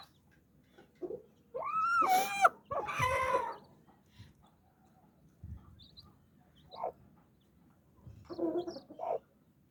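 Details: Domestic hen with nine chicks gathering under her wings. Two bright, arching peeps rise and fall in quick succession, followed by a harsh, noisy burst and scattered short, soft calls with quiet gaps between them.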